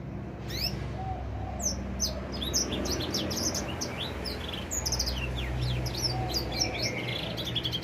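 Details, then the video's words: Young edel sanger finch, four months old and starting to sing, delivers a continuous stream of short, high, sharp chirps and flicked notes against a loud, steady low rumble. "Kicau Burung edel Sanger Umur 4 bulan mulai gacor"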